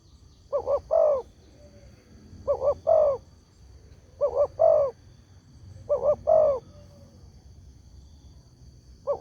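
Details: Spotted dove calling as a lure for other doves: four complete phrases and the start of another, each a pair of quick coos then a longer throaty coo, repeated at about two-second intervals.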